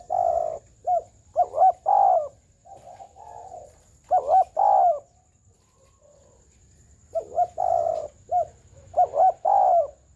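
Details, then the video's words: Spotted dove singing its full, round coo ('gù tròn') with a wing-flicking style. Repeated low, soft coo phrases of stuttering double notes and drawn-out hums, in two groups separated by a short pause. A faint constant high tone sits in the background. "Chim cu gáy gù tròn, giậtcánh hay"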